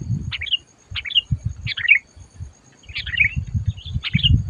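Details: Sooty-headed bulbul being used to lure birds for trapping, loud and fierce: quick chirpy phrases of two or three sliding notes, repeated about every second, mixed with heavy low rumbling and thumping noise.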